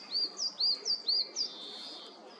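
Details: European greenfinch calling near a forest feeder early on the morning of 29 March 2023, where bullfinches and hooded crows are also present: six short, high, arched whistled notes in loose pairs over about 1.5 seconds, then quiet hiss.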